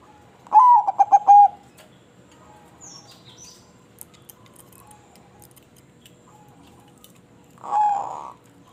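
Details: A crossbred zebra dove gives one full rolling coo at the start: a rising note, then rapid pulses, then a held ending. A muffled, shorter coo follows near the end, with faint high chirps in the background.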